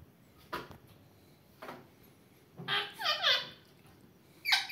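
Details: Talking Indian ringneck parakeet gives a short run of three bright, wavering, speech-like syllables after a couple of soft taps, then a final sharp squeak; otherwise quiet indoors.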